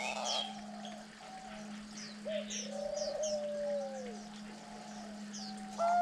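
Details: Diamond doves, a species native to Australia, feeding their chicks on the ninth day of rearing; a short hoot then a long mellow descending coo, other faint tonal notes, scattered high twitters and a steady background hum.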